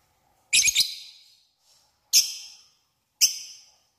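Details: Single lovebird calling in a lure meant to draw a rival: one doubled rasping squawk, then two shorter sharp high calls about a second apart, in silence.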